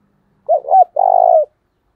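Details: Spotted dove used as a decoy, uttering two quick rising-falling coos followed by a long, rough, rolling coo that drifts slightly lower, close and clear with no other sounds.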